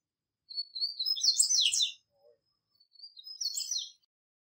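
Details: Double-collared seedeater in the wild delivering a rich, fast warbling phrase of high trills and buzzy notes for about one and a half seconds, then a shorter similar twittering phrase after a brief pause.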